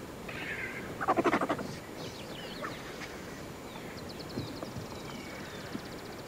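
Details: White-backed, hooded and a couple of lappet-faced vultures fighting while feasting on a buffalo carcass on the Shingwedzi River banks, Kruger National Park, giving harsh, raspy cackles and hoarse grunting bursts.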